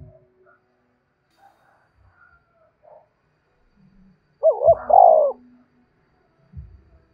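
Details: Spotted dove luring other doves with one brief, slightly muffled coo phrase of quick notes and a longer coo, amid long quiet stretches and low knocking sounds.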